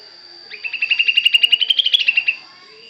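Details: Sooty-headed bulbul singing in imitation of the cucak jenggot; a fast even trill of about twenty ringing notes, gently rising then falling, lasting under two seconds, with a steady high tone behind.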